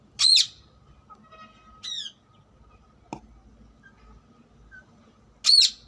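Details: Harsh shrill squawks from a wild rose-ringed parakeet, one at the start and one at the end, with a softer shorter note between and a faint click.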